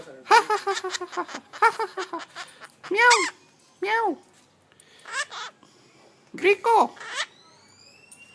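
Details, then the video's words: Rose-ringed parakeet learning to talk, imitating a cat with repeated arching meow sounds, some in rapid strings and others spaced a second or more apart, in a small indoor room. "Parrots Smart is learning to talk"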